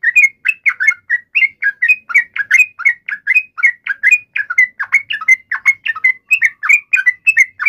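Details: Yellow-vented bulbul emotional fighting call to make a bird reply, long run of chattering, slurred chirps, fast and unbroken over several seconds.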